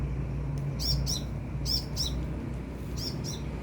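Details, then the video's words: Distant sunbird giving rapid pairs and triplets of high, piercing chirps against a constant low hum. "Burung Kolibri gacor"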